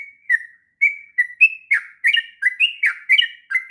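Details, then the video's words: Long ngropel song of a sooty-headed bulbul, meant for tutoring young birds: bright whistled notes with falling slurs, uneven gaps, building into quicker bubbling phrases. "kicauan trucuk ngropel panjang...cocok untuk masteran trucukan bahan.."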